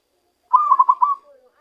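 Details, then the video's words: One rolling zebra dove phrase of five quick, throaty pulses followed by a soft falling tail, from a bird trapped with a decoy that has begun to use its true voice. "ketika perkutut hasil pikat mulai keluarkan suara asli nya"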